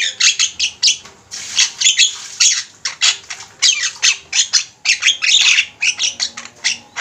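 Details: Javan mynas chattering as a flock on a master recording meant for training birds: dense, continuous harsh squawks and scratchy whistles, overlapping in quick succession for several seconds.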